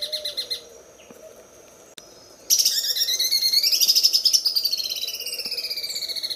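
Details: Greater green leafbird song in a sewing-machine style, used as a master recording for training other birds: after a quiet start with faint chirps, a loud, rapid, buzzy high trill bursts in, pulsing steadily with bright whistled overtones.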